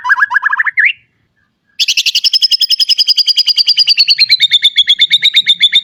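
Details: White-rumped shama fill phrases for training raw birds: a quick rising stutter of notes, a pause, then a long rapid dry trill of about eight notes a second, slowly falling in pitch.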